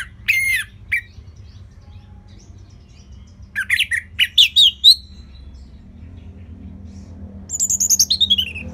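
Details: Orange-headed thrush from northern Bali, a caged bird used to tutor others: a few loud whistled notes, a quick run of varied chirped phrases, then a rapid descending trill of bright notes.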